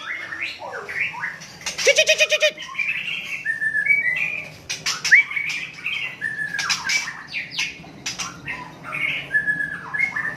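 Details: Song of a white-rumped shama (murai Aceh) from Cot Goh in Bireuen, Aceh, Indonesia: a brief grating rattle, then a long run of sweet whistled notes, some sharply upslurred, with short pauses between phrases.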